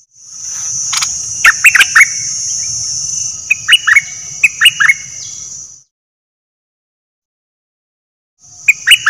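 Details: Decoy bulbul, one of three: runs of rapid, liquid chirping phrases repeated several times, with a constant shrill high-pitched hiss and faint low rumble underneath, then a pause before another phrase begins.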